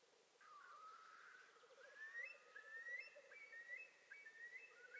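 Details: An osprey gives a run of short, clear whistled notes that slur upward, repeated more than once a second, over a low background hum. This was the first morning visit at a nest in northern Satakunta, Finland, on 19 April 2019.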